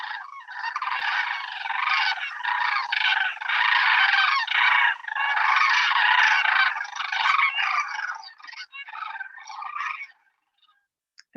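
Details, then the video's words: A big flock of Sandhill Cranes moving through overhead gives loud, rolling, rattling bugles, with many voices overlapping continuously for about ten seconds before fading. In Maryland they are usually heard before they are seen. "the second i hear that i'm looking straight up at the sky and trying to find that big old flock of sandhill cranes moving through"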